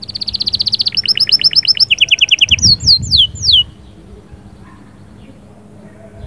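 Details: Canary singing to stimulate a hen: a rapid high trill, a quick two-pitched phrase, a lower trill and three sweeping descending whistles, then quiet with low background rumble.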